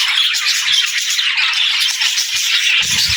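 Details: Short stretch of parakeet song: rapid scratchy twittering and chirping, unbroken and bright, from multiple budgerigars at once.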